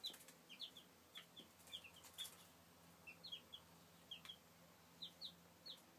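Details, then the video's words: Chicks peeping in 2013: crisp, high, downslurred cheeps in pairs and small bursts every second or so throughout, over a quiet background with faint hum and occasional taps. "Kuřátka 2013"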